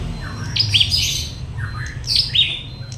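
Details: Prinia, trained for fighting, giving sharp high chirps and short descending notes in two bursts, with a steady electronic whine and low background rumble.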